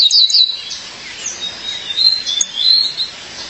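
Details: Female violaceous euphonia calling to her mate, giving a quick run of high bright chirps followed by thin, drawn-out whistled notes that waver and slide, all very high-pitched.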